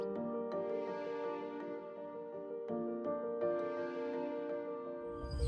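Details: Gentle piano-led background music plays steadily, with soft sustained notes and no animal voices.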